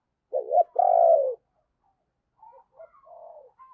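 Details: Spotted dove used as a decoy, calling to attract wild doves in the morning: a clipped double note runs into a long, drawn-out falling coo, then several quieter, broken coos trail off.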